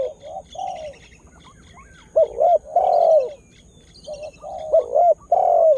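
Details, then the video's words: Lure-call spotted dove just beginning to call actively to excite wild birds: soft, low cooing in irregular groups, quieter notes building to louder drawn-out coos, with thin high twittering of other small birds behind. "Tekukur Dengan Daya Panggil Yg Unik Bikin Burung Liar jadi Emosi"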